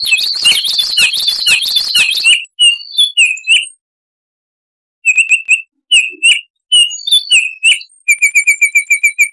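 Clear, whistled Baltimore oriole notes come in short bursts, ending in a quick run of about nine bright chips. A wavering, hissy warble fills the opening two seconds.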